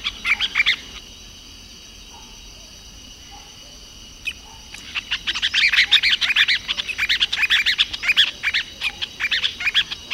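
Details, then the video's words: A masked water tyrant (Fluvicola nengeta) sings a lot, giving sharp, high chattering notes in quick bursts: a brief phrase, then a long rapid run after a pause, with a few faint calls between. "lavadeira mascarada ( Fluvicola nengeta ) cantando muito"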